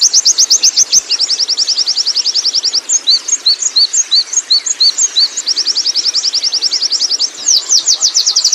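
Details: Oriental white-eye from the wild rolling out ngerol song. Dense, fast trills bracket a middle passage of spaced, paired high whistles before the rapid chipping returns.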